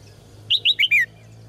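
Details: Caged red-whiskered bulbul giving one quick phrase of four loud looping whistles, the last sliding downward, over a faint low hum; song played to prompt males to sing strongly.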